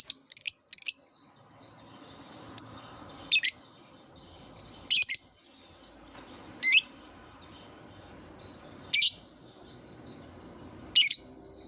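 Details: Lovebird call sequence played as a lure for juvenile lovebirds learning to vocalise: a quick cluster of piercing chirps, then single shrill squeaks repeated every one to two seconds against a low steady hum.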